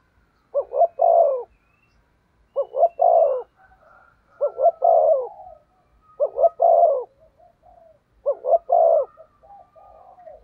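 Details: Spotted dove used as a decoy to lure wild doves, cooing in repeated phrases: two short notes then a longer throaty coo, roughly every two seconds, with faint higher whistles between phrases.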